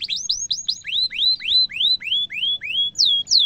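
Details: Canary cuit cuit song, used to teach young canaries to sing: quick high upswept notes, then a slower series of rising whistles about every quarter second, ending with two bright falling sweeps.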